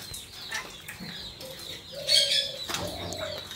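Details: Tame pet Alexandrine parakeet, coaxed by its owner to say "ma", gives two short, nasal, speech-like phrases, each about half a second long, over soft rustling and wing flutters.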